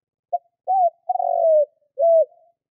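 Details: Spotted dove cooing as a hunting lure: a clipped first note, a rising-then-falling coo, a long coo sloping downward and a short rounded final coo, all low and mellow in a silent background.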